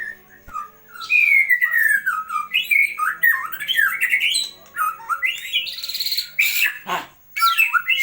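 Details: White-rumped shama tutor song (masteran): loud, rich, varied whistled phrases that slide down and up, mixed with sharp chattering notes and quick trills, continuous and changing throughout.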